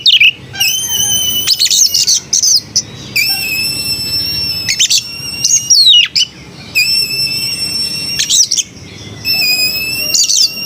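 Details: White-rumped shama song: long clear sustained whistles with rich overtones, alternating with quick chattering and downward-swept notes, phrases repeating every couple of seconds.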